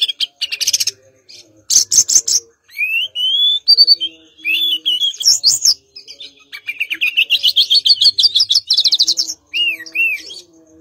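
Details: Mangrove blue flycatcher singing energetically: rapid buzzy trills alternate with clear whistled slurs and rising, accelerating phrases of quick notes, with short pauses between bursts.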